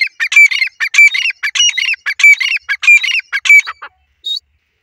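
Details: Grey francolin calls, noted as a new pair with a female voice: loud harsh rhythmic phrases repeated about once every half second, each a cluster of strident notes, ending with a short high squeak.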